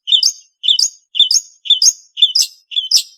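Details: Long-tailed shrike (Lanius schash) repeating a two-part chirp, a lower note slurring up into a higher squeaky one, six times at roughly half-second intervals.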